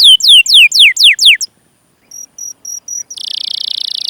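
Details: Canary chirping used as a lure to prompt young or silent canaries to sing. Several steep downward-swept whistles, then a short pause, a few thin high pure notes, and a dense buzzing roll at the end.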